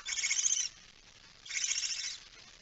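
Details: Barn owl at the nest during feeding, recorded 19 September 2019 at 05:28 as nest bird K5 eats: two harsh, breathy hisses, each about half a second long, separated by a quiet pause.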